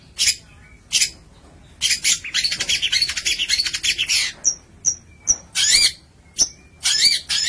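Long-tailed shrike singing in harsh, scratchy bursts broken by short thin whistled notes, delivered in quick irregular runs with brief pauses.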